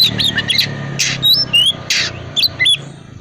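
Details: Oriental magpie-robin of the calm 'dingin' type used to prompt silent birds to sing: harsh raspy bursts mixed with short whistled slurs, over a noticeable low hum.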